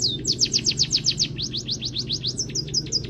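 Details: Short burst of canary-filled munia training song, meant to coax other birds into singing: quick, bright descending whistles in a steady rhythm, then a looser run near the end, with a low hum behind.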